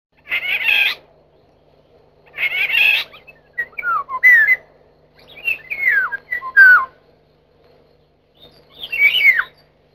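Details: Wild Eurasian golden oriole (Oriolus oriolus): two harsh, rasping squawks, then a run of liquid, fluting whistled phrases that swoop down and up, ending with one more fluty phrase after a pause.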